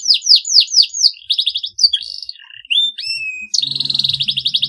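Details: Canary long song that draws rivals to sing: repeated downswept whistles, short trill bursts, rising slurred notes, then a fast buzzy trill over faint low noise.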